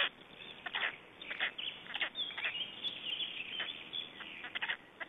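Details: Estonian black storks recorded at a nest feeding, 21 May 2012. Scratchy, wheezing bursts recur irregularly, overlaid by a thin wavering whistle around the middle, over steady background hiss.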